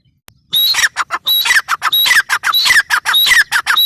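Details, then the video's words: Grey francolin calling loudly in harsh, squawking phrases, each opening with a thin high whistle and followed by a quick series of rasping notes, repeated roughly every 0.7 seconds after a short silence. "Teetar ki awaz | teetar sound | El sonido de una perdiz | Suara ayam hutan | teetar voice"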